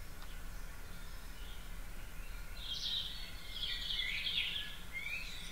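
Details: Spring dawn chorus recorded at 4.30am in a back garden on 9 April: after a quiet start, dense, rapid high twittering and trilled phrases build in the second half against constant low-pitched background hum.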